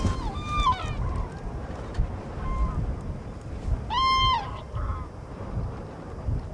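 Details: A small flock of common cranes (Grus grus), winter visitors in Gujarat, India, gives a few loud, trumpeting, bugle-like calls, one strong call standing out among fainter ones, over a steady low rumble of wind.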